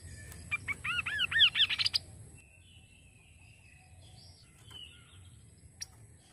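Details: Kaso kaso, played to get the bird singing: a rapid run of looping, arched notes climbs and quickens over two seconds, then faint thin whistles over a steady low hum.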